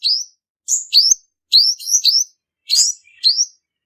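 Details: High-pitched lure song of a male purple-throated sunbird, as used for trapping: sharp, clicking starts leading into short upslurred whistles, delivered in irregular bursts of one to three notes against a silent background.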